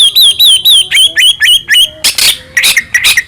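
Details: A Medan-type white-rumped shama sings full song as a provoking lure: clear, high, slightly wavering whistles repeated about three times a second, then harsh raspy bursts mixed with shorter notes.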